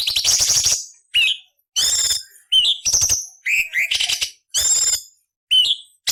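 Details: Harsh fill phrases of a ruby-throated bulbul (cucak cungkok), used to tutor shama, green leafbird and magpie-robin: coarse buzzy rattles mixed with clear rising whistles and looping slurs, delivered in quick irregular succession.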